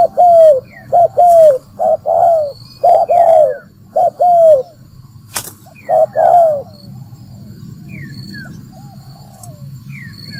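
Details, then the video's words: Spotted dove used as a lure for trapping, giving a run of paired low coos with long falling endings, then going quiet after about six seconds while a low hum and scattered high bird chirps continue. "Tiếng chim cu gáy mồi kích bổi đá lụp"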